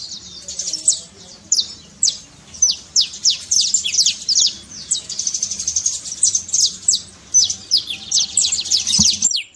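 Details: Trincado trilling by a saffron finch, used to stir a quiet canary: spaced high chips build into dense, rattling runs of steeply falling notes toward the end.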